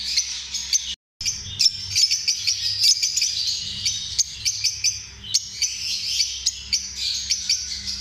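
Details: Lovebird chatter: dense, shrill chirps and sharp clicks overlapping almost without pause, high-pitched and busy, broken by a brief silent gap early on, with faint low hum in the background.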